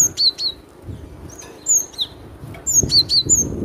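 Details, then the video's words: Cinereous tit, known locally as glatik batu, giving a loud song: high, thin whistled notes that slide downward, delivered in quick pairs and short groups over low background thumps. "Suara lantang burung glatik batu"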